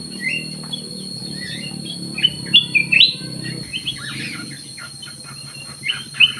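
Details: Black-crested bulbul in an aviary in full song: scattered short whistled and slurred notes, a quick rising pair near the middle, amid faint background chirps and low rumbling noise.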